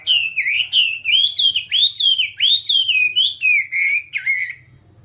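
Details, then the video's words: A whambie singing for a nonstop training recording meant for caged birds: a string of about a dozen bright, looping whistles, each rising and falling, at a quick, even pace before it falls silent. "Masteran Whambie nonstop 1 jam"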